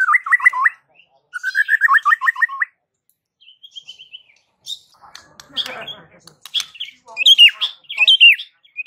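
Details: White-rumped shama singing a unique song said to make other shamas nearby answer: two bursts of quick looping whistled notes, then scattered higher chirps and sweeping whistles with short pauses between.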